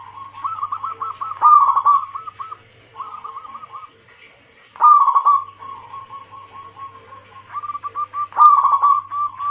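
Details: Female zebra dove, local and Bangkok crossing cemani, calling the male: quick series of short coo notes, a louder tremulous phrase, a softer trailing run, then further stuttered coos, all mid-pitched over a faint low drone.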